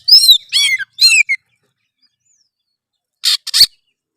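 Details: An Oriental magpie-robin sings to provoke rivals: three rough, buzzy slurred notes in quick succession, a silent gap, then two short harsh, noisy bursts.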